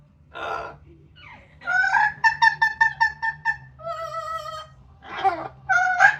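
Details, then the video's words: Pet yellow-naped amazon outdoors in sunshine, extra noisy while drying off after a shower: a quick run of about eight rhythmic, reedy hoots, then drawn-out humming tones and harsh, raspy squawks over a faint low hum. "the Parrot singing talking and making noise"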